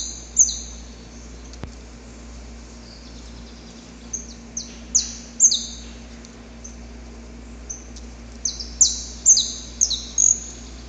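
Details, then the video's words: Male saffron finch singing before dawn while courting a female: scattered high, sharp descending notes, loose and irregular at first, then clustering into quick repeated chips near the end, with faint steady background hum. "Canto Para Esquentar o Canário da Terra"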